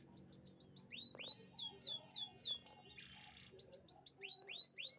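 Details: Canary chirping song: short groups of repeated high downward-sweeping notes, some lower sweeping whistles in between, with a faint low murmur underneath.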